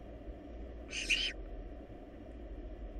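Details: A single short, rough hiss from a wild barn owl nestling in a monitored nest box during a rabbit meal, fairly soft against a steady low background hum.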